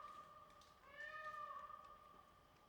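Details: Indian peafowl in display gives one drawn-out, nasal, cat-like wail lasting about a second, rising and then falling, over a steady faint whine in the background.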